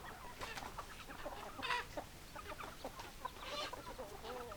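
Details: Chicken flock of hens and roosters, dense overlapping clucks and squawks with a brief louder squawk near the middle, no clear crow heard.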